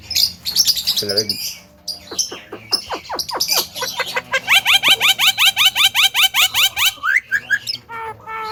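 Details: Javan myna, jalak kebo, said to mimic speech loudly: scratchy chatter and sharp clicks lead into a long, fast, even series of bright, ringing, upward-slurred notes, closing with a couple of higher whistled calls.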